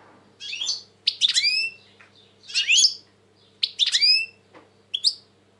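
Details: European goldfinch, described as very agitated, recorded in 2020, singing loud buzzy, twittering phrases with downward-sweeping notes, in bursts about a second apart with short pauses, over a faint steady low hum.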